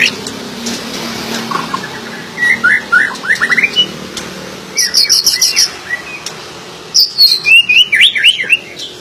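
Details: White-rumped shama giving varied whistled phrases, rising and falling slurred notes in bursts separated by short pauses, with a faint background hum.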